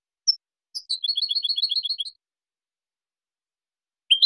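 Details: European goldfinch song recorded as clean training material for teaching juveniles and for competition: a short burst of rapid, bright twittering notes repeated about ten times in under two seconds, with isolated high chips before and after, on a silent background.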